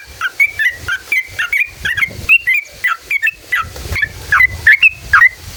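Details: Sooty-headed bulbul singing in an active, long rolling style used as a lure to provoke other bulbuls into singing; rapid bubbly chirped notes, some slurred, repeated steadily with short gaps throughout.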